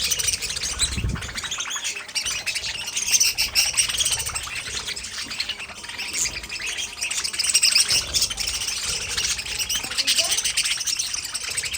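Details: Budgerigars kept as a colony in an aviary, a dense, continuous mass of high chirps, twitters and warbles overlapping without pause, with a few brief low thumps early on.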